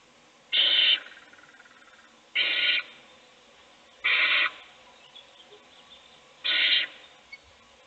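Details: Owl family in a nest box, one chick being fed while the others sleep: four evenly paced raspy screeches, each around half a second, repeating about every two seconds, with faint ticks between.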